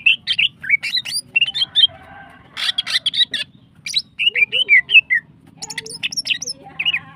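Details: Lively song of a female greater green leafbird, described as continuous long-firing singing that excites other birds: dense runs of varied chirps, twisting whistles and short trills packed together, with only short gaps between phrases.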